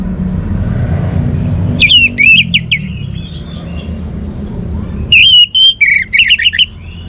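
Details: Song of an orange-headed thrush in two loud bursts: clear whistled notes swooping down and up, separated by a quiet pause, over a low background rumble.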